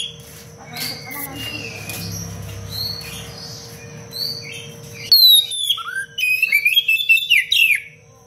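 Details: Oriental magpie-robin, recorded as song material for training other birds: a quiet murmur of soft notes, then a sudden loud burst of fast sweeping whistles and sharp chirps in close succession.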